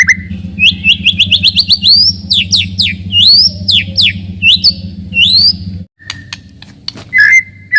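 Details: White-rumped shama singing a melodious song meant to rouse rivals and train young birds to fight: fast series of sharp upward-sweeping whistled notes, varied flourishes, a short pause, then scattered whistles over a low steady hum.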